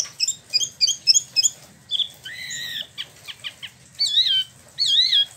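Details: Caged Spot-throated babbler in Bandung, Indonesia, imported from mainland China and Vietnam, newly moulted: quick high double chirps, a harmonic-rich buzzy note, ticking clicks, then two loud wavy whistles.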